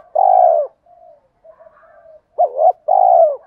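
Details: Male and female spotted doves calling, used in training to provoke cooing: deep hoarse coos, a long steady note, soft murmured notes, then two arched coos and another drawn-out coo, no other sounds.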